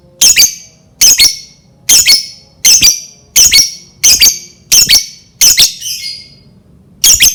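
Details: Lovebird calls used to provoke other lovebirds into singing: loud, sharp, high squawking chirps, about nine in seven seconds, each a brief harsh burst, at a fairly steady pace.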